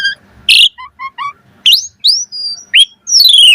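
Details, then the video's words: Asian pied starling in varied 'mompa' song, used to prompt starlings to sing: a harsh buzzy burst, a few soft low rising whistles, then clear upslurred and downslurred whistles and a long falling, ringing note. "Pancingan Jalak Suren Full Variasi Mompa - Masteran Suara Burung Jalak Agar Gacor Full Isian Mewah"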